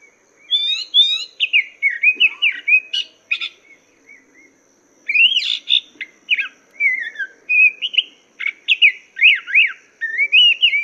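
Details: Chinese hwamei song used as master recording to train cage songbirds: loud varied whistled phrases, rising and falling slurs and sharp notes in rapid bursts, a pause near the middle, then more twisting warbled phrases.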